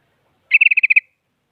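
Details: Sooty-headed bulbul, an active bird meant to goad rivals into singing, giving a rapid even chatter of about eight short buzzy notes in half a second.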